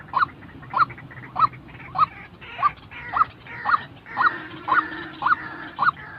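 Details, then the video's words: A real white-breasted waterhen, used to train decoy birds for trapping, calls about eleven times in six seconds with short, rasping, evenly spaced notes, and faint bird chatter behind. "tiếng chim quốc thật"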